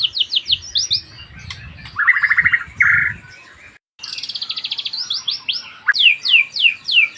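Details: White-rumped shama song with fast series of clear downslurred whistles, a harsher buzzy rattle in the middle, and renewed bright repeated notes after a short silence.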